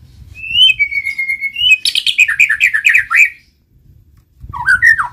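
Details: White-rumped shama singing, meant to prompt other shamas to answer: a steady whistle, then a rapid rattling cascade of chirps, silence, and a short rising phrase with faint low background noise.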